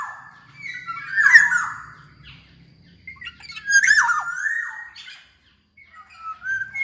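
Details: Black-naped oriole, kepodang emas, singing in a lively gacor style used as a lure to prompt other orioles to sing: harsh squawky phrases with a dropping whistled note, repeated with short pauses.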